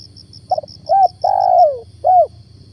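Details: Spotted dove (tekukur) kept as a decoy to lure wild doves, recorded one morning during Ramadan; a hoarse phrase of a short note, a clear note, a long swelling descending coo and a final note, over steady cricket pulsing.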